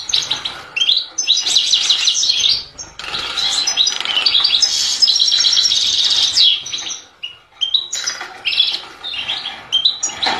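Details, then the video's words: European goldfinch in full song, long unbroken passages of jangling, tinkling twitters and trills, pausing briefly before resuming with sharp high notes. "Chant du Chardonneret"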